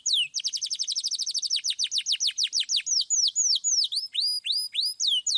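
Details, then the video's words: Loud clear canary song for prompting young canaries: a fast, even trill of sharp downward notes slows gradually into separate looping whistles near the end. "KENARI GACOR Suit Suit Ngeroll Suara Jernih"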